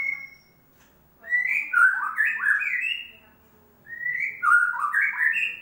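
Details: Lure recording of a white-rumped shama singing, meant to make a quiet bird sing: a short high whistle, then two rich phrases of rapid, overlapping warbled and whistled notes climbing and falling, pausing briefly between them.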